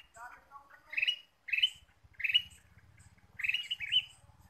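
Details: Ruby-throated bulbul lure sound used to attract birds: a lively burst of descending chirps, then four loud scratchy, bright notes spaced about a second apart, with faint low thumping underneath.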